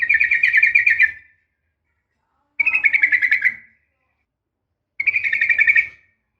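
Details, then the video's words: Female yellow-vented bulbul calling a male, nggaruda tarung ropel style: three bubbly, trilling chatter phrases of about a second each, spaced roughly every two and a half seconds. "trucukan gacor SUARA NGGARUDA TARUNG ROPEL"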